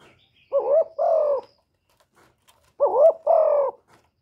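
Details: Spotted dove giving its calling, urging and cooing notes: two clear phrases, each a mellow wavering coo followed by a longer, steady falling coo, separated by about two seconds of silence.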